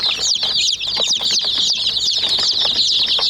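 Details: Hen chicks attacking a toy jeep give dense, bright peeping, with rapid overlapping short whistles that slide down and up, punctuated by a few hard beak taps.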